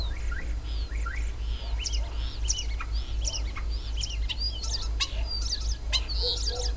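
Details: Starling song recorded on a country dacha plot, a rapid, varied stream of looping whistles, upward and downward slurs, squeaks and clicking notes, several per second, against a steady low background hum.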